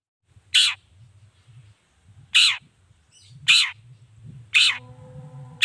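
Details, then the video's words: Long-tailed shrike calling to goad other shrikes into answering; loud, grating rasps spaced one to two seconds apart, with a low background hum and a steady tone near the end. "Suara Cendet Gacor Pagi Siang Sore Biangnya Bikin Cendet Manapun Nyaut Emosi Ikutan Bunyi"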